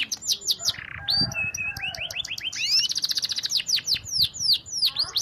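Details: Canary song played continuously for training other canaries: sweeping chirps, a short nasal buzz, rising slurred notes, a fast trill and loud descending whistles.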